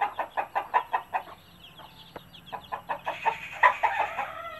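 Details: Country mother hen making her clucking food call for chicks: rapid, evenly repeated clucks about five per second, a short pause, then more clucks over faint chick peeps.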